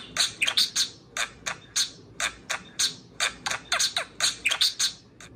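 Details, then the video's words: Parakeet kept indoors, serenading a beer can: a loud series of harsh, clipped chirps, roughly a dozen sharp bursts in quick irregular succession. "Pixel the Parakeet Talks + Kiwi serenades a can of beer"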